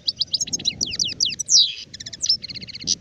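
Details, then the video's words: Song of an adult European goldfinch, called sharif locally, from 2019: quick liquid twitters and downslurred whistles, then a dry rattling trill of rapid repeated notes, over a soft low background rumble. "تغريد حسون كهل (شارف)"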